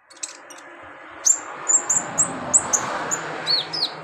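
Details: High, clipped chirps from a kept kolibri ninja sunbird, spaced a few per second and ending in two down-slurred notes, over a loud wash of broad room noise; used as therapy to get the bird singing.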